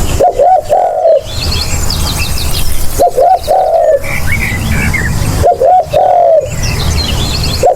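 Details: Recorded spotted dove call used as a lure: three phrases of two quick coos and one long mellow falling coo, repeated every two to three seconds, with faint twittering birds and low background rumble.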